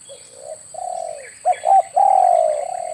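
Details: Spotted dove lure call for hunting, with soft low coos that overlap one another, then a clipped double note and a long sustained coo. A faint higher chirping sits in the background.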